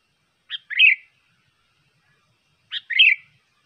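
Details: A sooty-headed bulbul, recorded for luring birds, gives two chirpy phrases about two seconds apart. Each opens with a quick note and rolls into a short, rich warble. The background is quiet.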